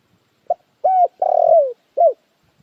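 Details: Spotted dove, described as the most standard call: a clean four-note coo with short rounded notes, a longer drawn-out middle note sliding downward, then a final short note, in quiet surroundings.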